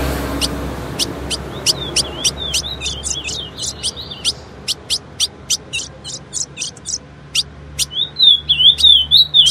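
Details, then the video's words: Female ultramarine grosbeak song meant to prompt males: rapid bright chips mixed with short wavering whistles, ending in a louder, rolling warbled phrase; low hum in the background. "CANTO DO AZULÃO FÊMEA"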